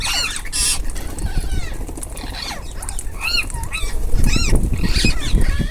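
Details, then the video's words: Ringneck parrots feeding as a group, with repeated arched, harmonic squawks from several birds overlapping irregularly, a burst of noise near the start and low rumbling background throughout. "Ringneck parrots group //eating // natural sound"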